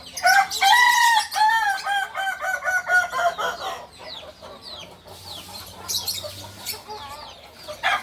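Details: Kukuak balenggek cock, purebred, from Solok in West Sumatra, delivering a crow of stepped, repeated segments for about three and a half seconds, then scattered chirps and a faint low hum.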